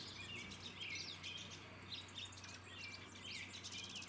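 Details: Pine siskins on Vancouver Island, Canada, twitter continuously in high, thin chirps with occasional buzzy rising notes, several birds calling at once over a low steady hum.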